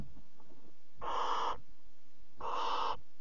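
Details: Nest box barn owl at 3 a.m., 26 July 2017, as the mother delivers a bird to a chick: two loud, harsh hissing screeches, each about half a second, spaced one and a half seconds apart.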